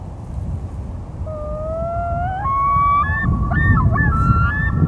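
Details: Loon calling on a local pond in May: a long, mournful, clear note that climbs in stepped leaps to higher pitches, ending in quick wavering notes, over a steady low rumble of wind or water.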